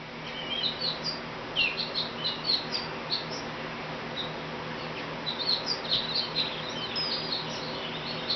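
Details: Very vocal sparrow visiting a back porch: quiet, high, quick chirps and short twitters in loose clusters, with a steady low background hum.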